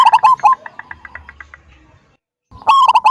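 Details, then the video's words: Local wild zebra dove in full, frequent song with a big 'kung' voice, used to lure other doves into singing: a loud burst of rapid, clipped coos, then a fading run of soft evenly spaced notes, a pause, and a fresh loud burst. "Perkutut lokal gacor suara besar - SUARA KUNG"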